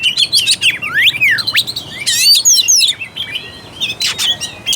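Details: Oriental magpie-robin singing, played to spur a quiet, non-fighting bird into song: sweeping whistled slurs, fast trilled bursts and short chirps, then a softer pause before scratchy notes return.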